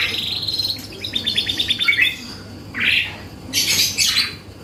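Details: Canary in full lively song, used to draw responses from other birds: quick rolling trill of repeated notes, then a bright burst and a buzzy high phrase, over constant low hum.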